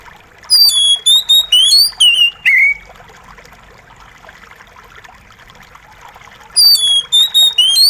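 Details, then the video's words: Oriental magpie-robin song over a steady trickle of water: a burst of six loud, clear whistles ending in a downslurred note, then a pause before the next phrase begins. "Terapi Kacer Macet Bunyi + gemericik Air!"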